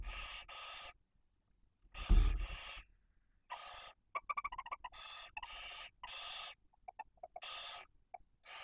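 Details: Barn owl at a nest in Cabañeros National Park, Spain, where a female broods two chicks one and four days old while the male delivers prey. Harsh, breathy hissing screeches come in about seven bursts, interspersed with soft, rapid twittering notes.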